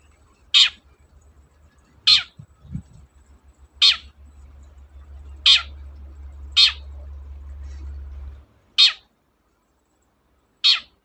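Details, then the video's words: Spaced harsh screeches from a long-tailed shrike, seven grating downward bursts at irregular intervals of one to two seconds, over a steady low hum that stops partway through; played to prompt reluctant shrikes to sing. "BURUNG CENDET GACOR, PANCINGAN KHUSUS CENDET MALES BUNYI"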